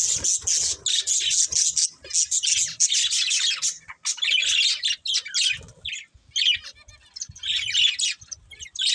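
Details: Budgerigars keep up lively, grating, high chirping and squawky chatter in long bursts with brief breaks, with faint low tapping.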